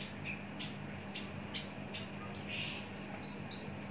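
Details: Javan bush lark, caged, mature and large-bodied, repeats high, clipped whistled notes roughly every half second, some with a lower buzzy undertone, over a low steady hum.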